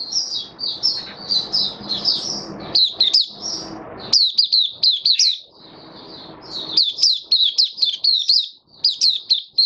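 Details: Caged white-eye, 18 May 2022, following regular deworming treatment on supplements, in open 'buka sing' singing: long runs of rapid, jumbled high chirps with brief breaks and low background noise.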